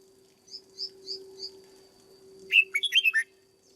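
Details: Caged red-whiskered bulbul kept for training as a lure bird: a few faint, thin high chirps, then a loud, quick, warbled phrase of five or six rich notes jumping up and down, over a steady low hum.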